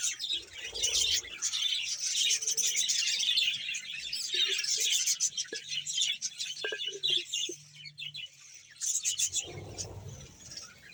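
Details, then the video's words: Budgerigar colony in Bahawalpur, some 100 pairs, giving continuous high chattering and twittering, with a few separate short squeaks standing out midway and a louder burst near the end. "budges sound"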